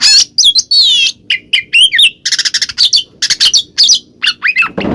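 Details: Kacer (Oriental magpie-robin) 'ngeplong' lure song to make a mute bird answer: wavering whistles and sharp upward sweeps, then harsh chattering bursts, ending with a low rustling noise.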